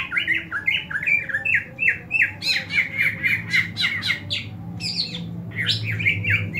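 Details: Greater green leafbird giving an aggressive fighting call, used to train other leafbirds to fight: rapid, harsh squawking notes, several a second, with sharp chattering bursts, against a low indoor hum.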